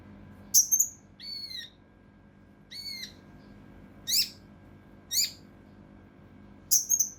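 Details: Mountain leaf warbler song, 'tembakan kasar rapat' style, used to train competition birds: sharp, high, downslurred whistled notes spaced about a second apart, some with twangy overtones, in short separated bursts.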